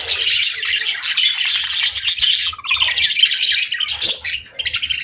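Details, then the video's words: Several budgies chirp on a calm morning, their busy overlapping warbles and sharp squeaky notes running almost without pause, with brief low thumps in the background. "Soothing Budgie Chirping Sounds"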